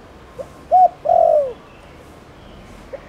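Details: Spotted dove, a village and rice-field bird, calling to stimulate other doves to call: a short soft note, a clipped arched coo, then a long falling purr-like coo, with a faint closing note.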